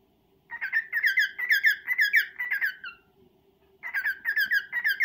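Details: A male pet cockatiel courts a female, delivering a lively two-and-a-half-second burst of repeated chirrupy whistles, a short pause, and a second burst; steady low hum behind.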